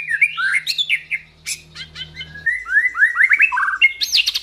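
A white-rumped shama pours out a fast, varied song of rich whistled phrases, slurred notes and sharp high bursts, over a faint low hum early on.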